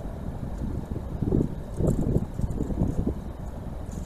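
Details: Gusty wind buffeting the microphone over distant vehicle rumble, with low thumps and no animal calls.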